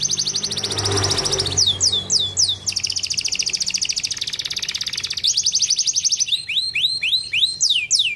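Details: Canary singing to stimulate other canaries to sing: fast trilled rolls of high notes, then series of repeated downward-sweeping whistles, switching between tours; faint low hum underneath.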